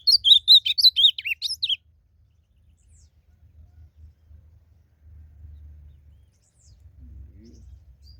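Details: Song of a wild blue-black grosbeak in a singing contest: a rapid burst of about ten bright whistled notes, rising and dropping, lasting under two seconds, followed by quiet with soft low background rumble.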